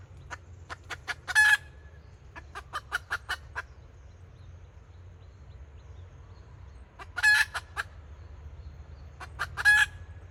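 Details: Kataak-style calling from a red junglefowl decoy hen, 2024. Scattered clucks in short bursts, with loud rasping squawks near the start and twice toward the end, separated by a long quiet gap.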